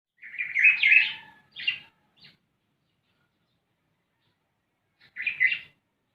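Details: Black-naped oriole, locally called kilyawan, giving harsh, nasal, buzzy bursts: a long rasping phrase followed by two shorter ones, then silence and a final rasp near the end.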